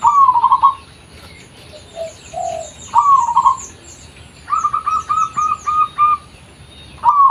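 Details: Local zebra dove in its natural voice for luring: repeated phrases of rapid rolling coos, one with a long chain of evenly spaced notes, amid busy high chirping of other small birds.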